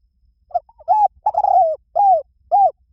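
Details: Spotted dove cooing in a quiet setting: a soft low coo phrase of five hollow, slightly downcurved notes, the middle one longer and broken, with no other sounds.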